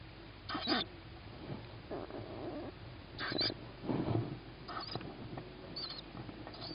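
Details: Young tawny owl begging on hearing its mother, during the first food delivery to a sibling on a roof, evening of 21 May 2017 at 21:38; wheezy, hissing bursts every second or so, some longer and rasping.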